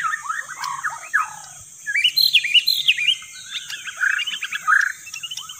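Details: White-rumped shama song for luring: quick, varied whistled chirps and slurred notes in rich, shifting phrases, some rising, some dropping, with a constant high hiss behind.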